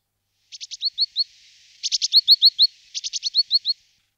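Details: Great tit (Parus major) giving three phrases, each a few quick buzzy clicks followed by a run of short rising whistled notes, the phrases about a second apart in otherwise quiet surroundings.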